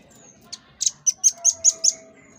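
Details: Master-song recording of a velvet-fronted nuthatch (rambatan paruh merah) for training cage birds: a hesitant first chip, then a quickening run of about six shrill high notes, with a faint steady tone underneath.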